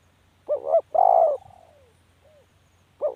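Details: One complete spotted dove coo phrase, a double note then a long mellow coo trailing into a soft falling tail, and the next phrase beginning.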